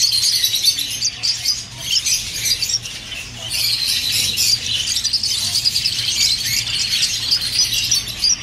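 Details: Several budgerigars chattering continuously, used to encourage pairing and egg laying: busy, scratchy high-pitched twitter with fluttering squeaks that swell and ease in waves, over a soft low hum.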